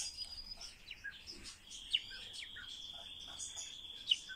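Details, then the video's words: Captive common starling being trained to talk, giving a long steady high whistle held across most of the recording, broken by short chirps, clicks and scratchy notes, with two sharp accents near the start and end. "Обучение скворца разговору"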